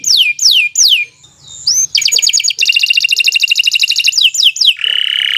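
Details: Canary in full, long song: a few downward-sliding whistles, a brief pause, then a dense rapid trill of buzzy repeated notes ending in a harsh rasping phrase.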